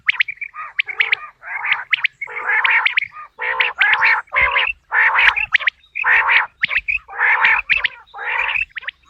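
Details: Natural quail calling for the hunting season: a steady series of harsh, buzzy bursts about once a second, each led or followed by sharp ticking notes, several birds seemingly overlapping.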